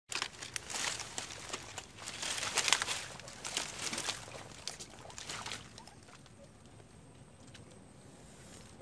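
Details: Crinkling, rustling and crunching noises, loudest in the first half, then fading to a faint hiss, with no animal call.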